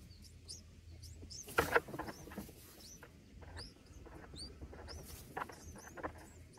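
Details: Nestling red bulbuls fed berries and a fluffy moth by a parent; sharp high upward chirps come in quick clusters, broken by a loud rustling burst of movement at the nest.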